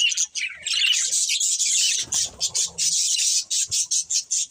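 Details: Breeding pair of budgerigars chirping: dense, scratchy warbling chatter high in pitch, running almost continuously for two seconds, then breaking into short rhythmic bursts repeated about twice per second, with faint low thumps beneath.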